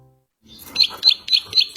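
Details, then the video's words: Ciwah song recorded as training material for other songbirds: four short, bright chirped notes about a quarter second apart, each with a sharp high peak, starting after a brief silence. "Masteran ciwah mp3"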